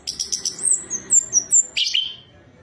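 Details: Orange-headed thrush song for stimulating another bird's singing: quick high chips, a string of thin downslurred whistles, then a lower rich falling phrase.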